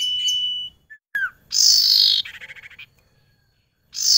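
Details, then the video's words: Female barn owl calling to a male that can see and approach her but cannot touch her. Harsh, hissing screech bursts with a rapid, pulsed, rasping run. Short whistled notes come before them, and another hiss follows at the end. "BURUNG SIRTU BETINA PALING GACOR"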